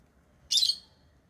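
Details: A single pet lovebird gives one harsh, shrill, high-pitched squawk lasting about a quarter second, with near silence and a faint low hum around it.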